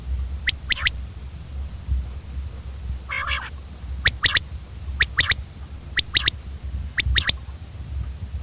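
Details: Common quail calling: short sharp three-note phrases, each a quick clicking triplet, repeated roughly once a second, with one brief rougher burst between phrases against a low steady background rumble.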